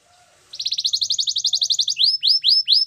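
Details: Belgian canary song for training: after a quiet start, a fast even trill of short high notes runs for about 1.5 seconds, then slows into four loud upward-sweeping whistled notes.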